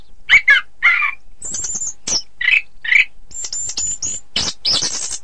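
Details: Orange-headed thrush singing, a recording for training contest birds: a few mid-pitched warbled notes, then a series of very high, thin, level whistles and a final burst of hissing, rasping sound.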